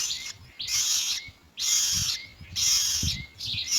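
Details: Hungry young myna calling to be fed as adults bring pellet food: four strong, hoarse hissing rasps, each under a second, separated by short pauses, with faint low rustle.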